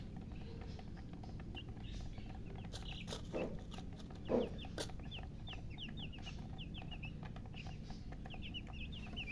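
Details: Newly hatched chickens, just born, chirping; high, short downslurred peeps repeat rapidly in the second half over a steady low rumble, with a few sharp knocks and scuffs.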